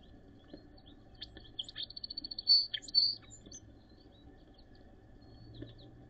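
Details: Song sparrow in Northern Ontario, snowy late April 2023, delivering its song: soft opening notes speeding into a rapid even trill of high chips, two loud clear peaks, then a short buzzy finish; other birds faint in the background.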